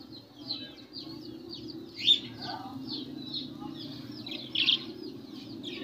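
Budgerigars chatter in quick, scratchy warbles with sharper chirps breaking through over a low background hum.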